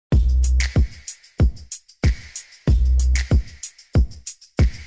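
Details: Drum-machine beat of punchy kicks and snappy hits repeating in a steady loop, with no animal voice.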